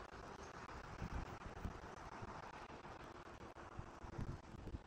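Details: Steady low wind rumble and distant vehicle-like hum with faint microphone buffeting; no animal calls are heard.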